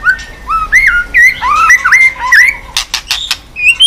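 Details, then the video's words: White-rumped shama flicking its tail on a cage perch floor, sung to spur other shamas into song: clear whistled phrases sliding up and down, then a burst of sharp clicking notes and a final rising whistle. "chòe lửa tạch đập đuôi sàn cầu dùng kích lửa cho chòe lửa lên lửa cực nhanh hót"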